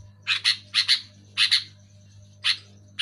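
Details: Sooty-headed bulbul calling loudly to get caged bulbuls singing: rasping notes delivered in pairs, then singles, roughly one to two bursts per second, with a low background hum.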